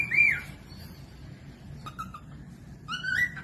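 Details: Cockatiel whistling meant for training other birds to sing: a loud rising-falling whistle, a pause, a short soft note, then a longer upward-sweeping whistle over steady low hum.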